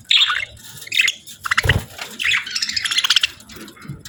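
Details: Budgies chattering in a cheerful mood, with rapid high chirps and squawky warbles coming in quick clusters, one dull low thump in the middle, and a busy trilling run near the end.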